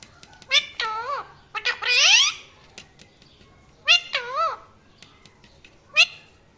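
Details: Parrot producing a string of curving, whiny harmonic calls and one loud rasping screech, separated by short pauses, ending with a brief sharp chirp.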